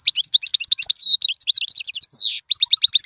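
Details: Loud, dense European goldfinch song for training young birds: rapid tinkling twitters, a held buzzy note, a falling rasping slur, then more bright chirps without pause.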